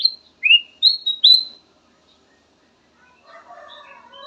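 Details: Black-crested bulbul singing three bright whistled phrases, the second slurring upward, then a pause and a faint, lower jumble of twittering in the background.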